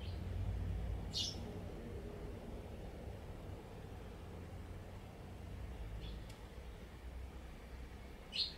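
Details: Eurasian tree sparrows back on a balcony on 26 October 2021, after rice harvest in nearby paddies ended, filmed on a Sony ZV-E10; three short sharp high chirps spaced several seconds apart over steady low rumbling background noise.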